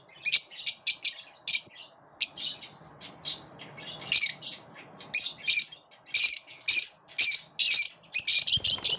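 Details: A group of lovebirds driving one another off: a near-continuous stream of shrill, high-pitched chirps and squawks, almost two per second, growing denser toward the end.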